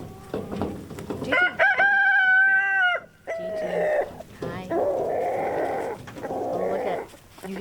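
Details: A rooster in a pastured chicken flock gives a drawn-out, high, even scream lasting over a second, the alarm for aerial predators overhead, followed by further calls with a person talking.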